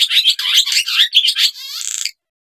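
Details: Barn swallow (Hirundo rustica) gives a quick, high twittering chatter of varied notes, ending in a short dry buzzy rattle after about two seconds.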